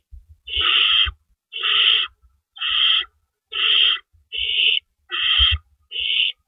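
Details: Owl nest at night on April 4, 2012, near 4:30 AM, while adults swap rabbits in and out; seven rough hissing screeches, each about half a second, repeat at an even pace with low thumping movement sounds.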